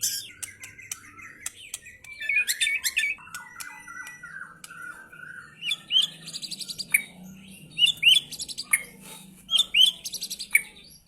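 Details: White-rumped shama (F3) with rough 'materi kasar' material: ticking chips and sliding whistles early on, then loud, sharply rising squeaky notes repeated in short bursts alongside buzzy high trills.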